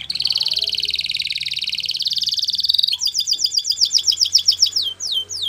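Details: Yellow canary in song, delivering a long dense rolling trill for three seconds, then a faster series of sharp descending chips repeated several times per second, with faint low hum beneath.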